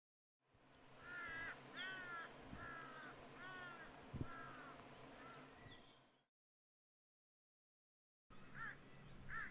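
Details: White Indian peafowl spreading its wings, giving a run of loud, nasal, harmonic calls repeated about once a second. A brief silence follows, then two more calls. Low background rumble throughout.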